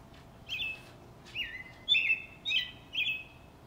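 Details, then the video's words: A robin singing in a backyard gives five short, clear whistled phrases, each a quick warbling slur, about half a second apart over a faint steady hiss. "Singing robin"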